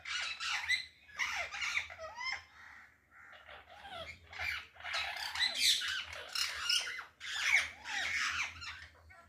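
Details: Loud parrots on a balcony, a flock of overlapping harsh screeches and chattering squawks, some rising and falling, in bursts separated by short quieter gaps.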